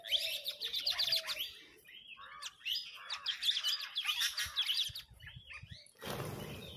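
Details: A flock of parrots talking among themselves and arguing over food: dense, harsh, overlapping screeches and chirps for about six seconds, with a lower tonal note early on, ending in a short burst of broadband noise.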